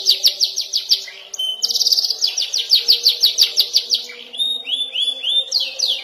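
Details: Young canary (kenari paud) learning to roll and fire sharp notes: a run of quick repeated sweeps, a buzzy trill, more rhythmic sweeps, then slurred rising whistles.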